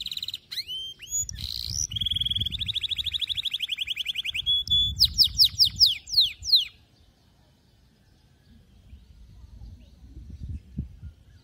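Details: Canary song meant to teach young canaries: quick whistled notes, a long rolled trill, then loud downward-sweeping whistles, fading into several seconds of near silence with low background noise.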